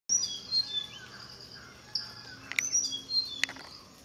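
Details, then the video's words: Tickell's blue flycatcher giving thin, high, sliding whistled notes in short melodious phrases, with a couple of sharp clicks and a faint low hum behind. "Tickell's Blue Flycatcher (volume up for the birds call)"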